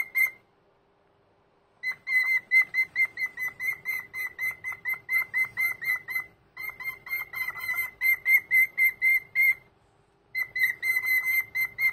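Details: Morning greeting from an old pet cockatiel indoors on a Sunday: long bursts of rapid, choppy, clear whistled notes at one pitch, three bouts separated by short silences.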